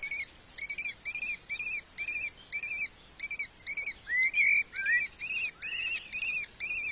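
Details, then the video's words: Lesser kestrels mating at a nest-box colony in Cabañeros National Park, Spain, on webcam: a fast series of high, buzzy chattering notes, about three per second, with a few rising, drawn-out calls mixed in. "Cópula cernícalo primilla"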